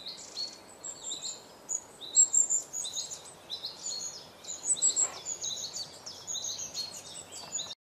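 A long-tailed tit gives a steady stream of very high, thin twittering notes, short and quick, over a faint background hiss.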